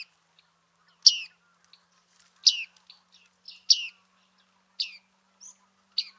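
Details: Bearded reedling in Liepāja, Latvia, July 2023: short bright metallic chips around the upper treble, spaced irregularly about once a second over quiet background.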